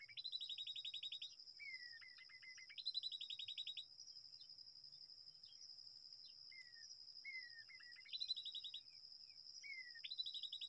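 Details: Babbler at its nest in a date palm: bursts of rapid buzzy trilled notes alternate with short descending whistled slurs, repeated every second or two, over a steady high-pitched insect drone.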